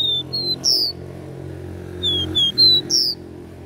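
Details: Two phrases of a capped seedeater's regional three-note "dó ré mi" song. Each is a pair of clear whistles, then a harsher buzzy note, with a steady low hum behind.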